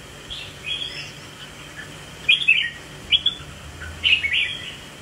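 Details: Red-whiskered bulbul in a swaying display. Soft notes open the sequence, then three loud, bubbling whistled phrases follow in quick succession in the second half.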